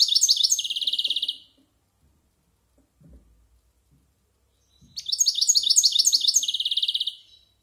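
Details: Over a year old, a European goldfinch practises its varied silvestrismo song, giving two energetic runs of rapid, rhythmic bright chirps, with a quiet gap in between that holds only faint knocks.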